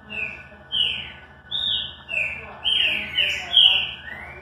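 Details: Green-winged saltator giving its classic song: a run of about seven clear whistled notes, each slurred or swooping, building louder toward the end and closing with a rising whistle, over a faint constant hum.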